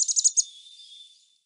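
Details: A backyard chickadee in Marion County, Ohio, gives its chick-a-dee call: five quick, high, bright notes in under half a second, trailing into a faint thin tone that fades away.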